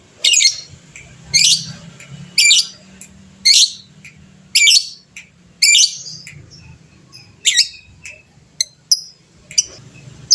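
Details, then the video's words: Energetic fighter lovebird whose calls are used to spur other birds into singing; a string of sharp raspy squeals about once a second, thinning into shorter chirps and clicks toward the end. "suara burung lovebird fighter gacor, cepat bikin lawan bunyi bersautan"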